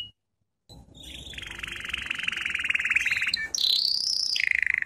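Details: Canary singing lesson for training: after a brief pause, a quieter rapid trill with background hiss, then higher sweeping whistled notes falling at the end.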